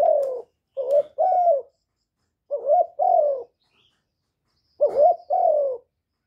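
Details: Spotted dove kept as a decoy, recorded without background noise, giving three phrases of low, mellow two-part coos. A brief first note is followed by a drawn-out sliding hoot, with faint clicks at the start.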